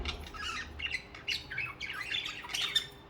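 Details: Pet budgerigars, birds that need company of their own kind, warbling in rapid, rolling chirps and squeaky notes without pause.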